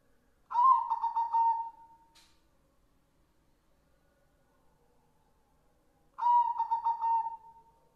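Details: A white zebra dove gives two soft cooing phrases about six seconds apart, each a quick stutter of notes trailing into a drawn-out coo.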